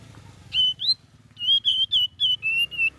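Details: Young sooty-headed bulbul learning to sing: a run of clear whistled notes, mostly level or slightly falling, with one rising slur, delivered in a quick uneven series.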